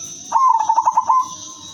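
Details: Female zebra dove of silver colouring, kept as a lure for other zebra doves, gives a single phrase of about seven quick pulsed coos in under a second on one even pitch, over a faint steady hiss.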